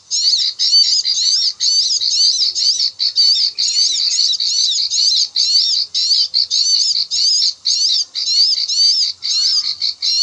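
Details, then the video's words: Bar-winged prinia lure call of the klik-klik rice-field style, used for bird trapping: a fast, unbroken run of high, sharp chirping notes repeated without pause, densely layered and very bright, with no other sounds. "SUARA AMPUH PIKAT CIBLEK KLIK-KLIK/SAWAH"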